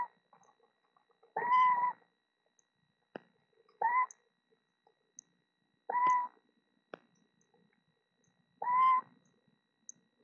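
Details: Eastern screech owl calling inside a Florida nest box where a mother has hatched four owlets; four clear, mellow tonal notes, each under half a second, repeated every two to three seconds, with soft taps and scratches between them.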